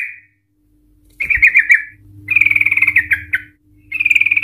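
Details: Sooty-headed Bulbul singing an emotional long rapid trill used as a lure to set other Sooty-headed Bulbuls trilling: a wavering chattering phrase, then a longer rattling trill with a drop at its end, then another trill, with a low electrical hum beneath.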